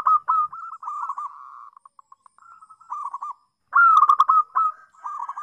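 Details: Melodious local zebra dove song used for teaching learning doves: a loud cooing opening, a trailing series of soft dotted notes, rolling coos, then a strong descending trilled burst and more rolling coos.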